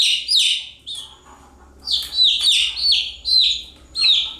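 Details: Chicks calling nonstop: bright descending chirps in uneven bursts, a short lull in the middle, and a low steady hum underneath.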